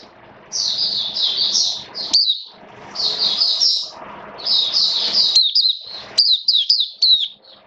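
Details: Oriental white-eye during rainy weather singing long high twittering runs broken by sharp chirps, with a noticeable low rumble underneath.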